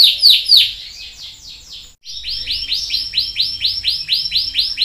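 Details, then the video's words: Canary song used as a pancingan, a lure recording to prompt a silent canary to sing: high sweeping trilled phrases, a brief pause, then a steady run of upswept whistled notes repeated about four to five times per second. "PANCINGAN KENARI MACET | CANARY SINGING"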